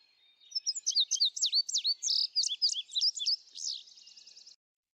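An Indigo Bunting sings a bright, high four-second song of sweet paired phrases, notes swooping up and down, closing with a quick buzzy trill.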